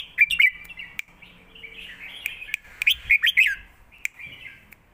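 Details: Red-whiskered bulbuls in cages trade songs in the Thai southern master style: warbled whistles with bending pitch, a few isolated clicks, then a rich run of slurred phrases past the midpoint.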